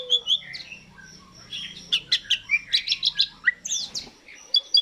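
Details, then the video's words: Asian pied starling song recorded as a lure to make birds start singing: a busy stream of short sharp chirps and clicks, high whistles and squeaky notes, with a faint low hum beneath. "Pancingan jalak suren langsung bunyi"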